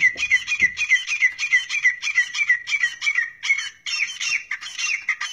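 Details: Grey francolin, known locally as teetar, recorded in Pakistan in a hunting setting: loud, ringing, whistled notes repeated in fast rhythmic phrases, about three per second, with little background noise.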